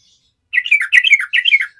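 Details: Lively yellow-vented bulbul song aimed at rivals: two quick phrases of gurgling, liquid notes that tumble up and down, with a brief pause between them and a soft trailing note.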